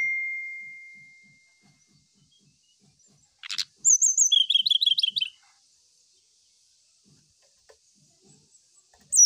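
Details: Brown-chested jungle flycatcher song meant to seek a rival: after a fading steady tone and a sharp burst, a high whistled note leads into a fast descending string of bright, slurred notes lasting about a second, then quiet.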